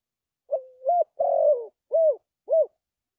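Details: Spotted dove calling: a series of low hollow coos, the first drawn out and dipping, a longer rough middle note, then two short clipped coos, clean with no other sounds.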